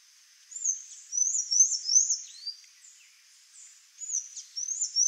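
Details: Wild black-faced tanager in a flowering genipap tree in Brazil: high, thin, squeaky notes in quick bursts with short pauses, all pitched very high.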